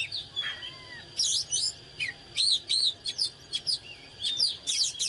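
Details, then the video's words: Oriental magpie-robin in fired-up singing, with loops of clear whistled phrases and twangy notes repeated roughly once a second. The phrases are varied and irregular, and a low soft whistle appears near the start. "เสียงนกกางเขนบ้านหรือนกบินหลาขี้ควายใต้ Chích chòe than CHÒE THAN CĂNG LỬA HÓT MÚA CỰC HAY นกกางเขน"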